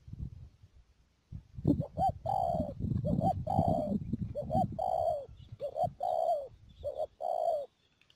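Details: Decoy spotted dove used to trap wild doves near Mương Điều, Đầm Dơi, Cà Mau, 12 March 2019, delivering a rapid run of coo phrases, short rising notes alternating with longer coos, over low rumbling noise at first.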